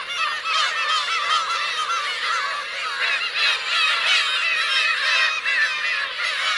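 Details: On 17 June 2021 at Teuri Island's Kurosaki coast in Hokkaido, black-tailed gulls with chicks fill the air with rapid, overlapping nasal mews, a constant, excited colony din.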